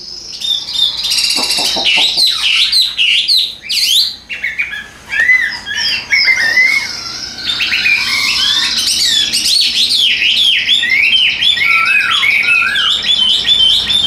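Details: Caged Chinese hwamei, tame and singing while carried in the hand, pouring out a long, rich, fast-changing song of looping whistles, chatters and sharp slurred notes with brief pauses.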